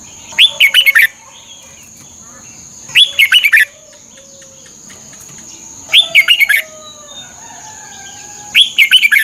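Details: Song of a red-whiskered bulbul, played to train caged birds: four brisk, tuneful phrases of slurred whistled notes roughly every three seconds, quieter chirps and a high continuous whine in the background.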